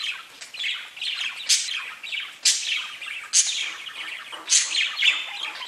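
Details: Pet budgies chirp in a continuous twittering stream, with rising sharp squeaks about once a second over the busy, scratchy background chatter.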